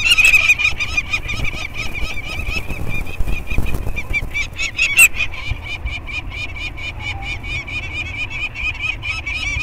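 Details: Peregrine falcons at the Anacapa scrape on banding day, 19 May 2022, as a male and a female chick aged 30 days are banded and the parents stay near; quick cackling notes mixed with rustling and knocking handling noises.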